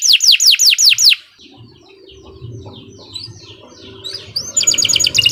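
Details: Canary in master-style 'gacor' song: five loud falling whistled sweeps open, followed by a quiet stretch of faint chirps over a low rumbling background, closing with a bright rapid trill of repeated notes.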